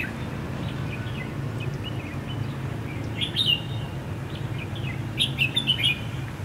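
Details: Red-whiskered bulbul fighting song, used as a decoy for trapping on the first day of Tết 2016: short, bright warbled phrases rising and falling, one cluster near mid-clip and a louder run near the end, over a constant low rumble.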